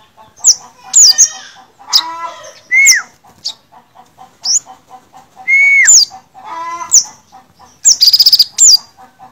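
Olive-backed sunbird singing a lively, high-pitched series of thin whistles, sharp chips and rapid buzzy trills, with rising and falling notes in quick succession.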